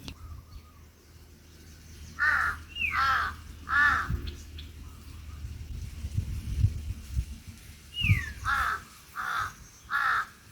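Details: Crows near a small field hut on a sunny, breezy day: two bursts of harsh, hoarse caws, three or four in each series, with a soft whistle early on and low wind rumble throughout.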